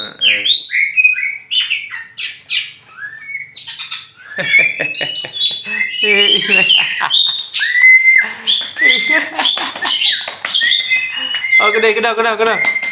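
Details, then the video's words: Tame champion oriental magpie-robin from Meulaboh, Aceh, let out to fly free before being caged. It sings a rich, varied song of sweet whistles, sharp chirps and buzzy harmonic notes, with a rapid trilled passage near the end. "kacer juara"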